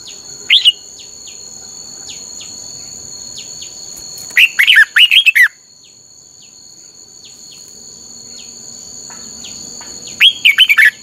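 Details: Red-whiskered bulbul song for song training: short bursts of quick slurred whistled notes at the start, middle and end, with fainter chirps between and a constant high-pitched insect drone throughout.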